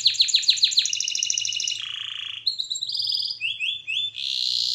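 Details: Canary song meant for training, opening with a quick series of sharp descending chips, then a low rolling trill, a brief high buzz and several rising whistled slurs.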